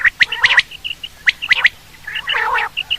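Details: Quail sound used in hunting: a few short, sharp notes in twos and threes, then a brief buzzy chatter and soft clipped notes at the end.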